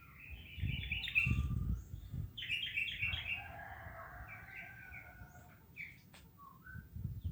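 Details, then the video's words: Hundreds of swiftlets out foraging in the morning as winged termites emerge; loud bursts of rapid, buzzy chirped trills come in quick runs, with low thumping noise underneath. "Ratusan Burung Sriti di pagi hari"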